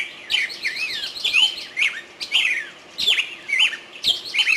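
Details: Wild bird singing in a forest: varied whistled and warbled phrases with rising and falling slurs, delivered in bursts about every second.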